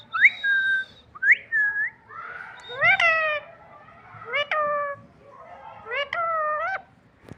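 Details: Green parrot mimicking speech with spaced, drawn-out vocal phrases: whistled slides followed by three longer voice-like notes, each starting with a sharp upward flick then holding a steady tone.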